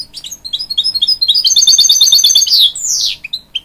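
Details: Encouraging young chicks, a hybrid goldfinch sings a rapid sequence of chirps building into a quick repeated trill, then a descending buzzy, rasping note and a few final soft chirps.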